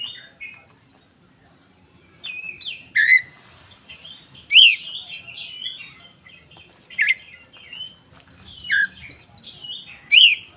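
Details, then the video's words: Koci singing with tail opened, kept as a lure for silent birds: after quiet seconds, a long rambling warble of short whistled notes broken by loud sharp downslurred chirps every one to two seconds. "suara burung koci buka ekor||pancingan koci bahan ombyokan"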